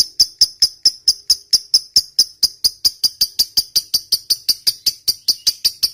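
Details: Lovebird in long ngekek song, played so that quiet lovebirds start singing: an even, rapid string of about 26 sharp, high chirps over six seconds.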